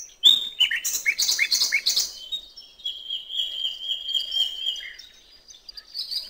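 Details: Nightingale song by a river in natural surroundings: a rush of scratchy, dense notes for two seconds, then a long, slightly wavering whistle held about three seconds, with soft chirps behind.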